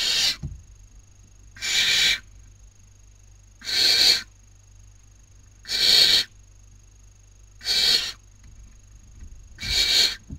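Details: Barn owl owlets at a webcam nest in Cabañeros National Park, Castilla-La Mancha, Spain, 2019 breeding season, as one takes her sister's dinner. Six steady, rasping hisses repeated about every two seconds.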